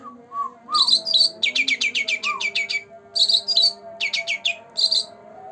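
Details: Green leafbird, two months old, singing to coax silent birds: a few soft low slurred notes, then a fast string of about ten falling chirps, followed by whistled phrases in short groups.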